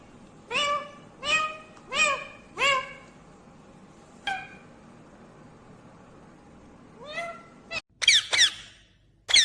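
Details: Talking ringneck green parrot: a run of four short, bright, downward-curving harmonic syllables, then two isolated notes and a burst of harsh, high squawky calls near the end; low room hum underneath.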